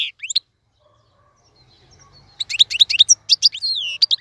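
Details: European goldfinch song meant for tutoring young birds: a few sharp rising chirps, then over a second of near silence, then a fast burst of tinkling twitters and slurred notes.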